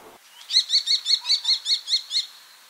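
A common kestrel gives a rapid series of about nine sharp, high 'kee-kee-kee' notes, roughly five per second, against a quiet background.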